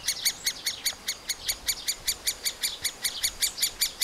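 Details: Young middle spotted woodpeckers calling at the nest while a parent feeds them, recorded with a Panasonic FZ2000 camera: steady, shrill, repeated squeaks running about four to five per second throughout.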